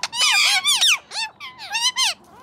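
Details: Rescued Indian ringneck parakeets at a parrot sanctuary mimic human speech: a quick run of squeaky, high, speech-like syllables that rise and fall, with short pauses between phrases.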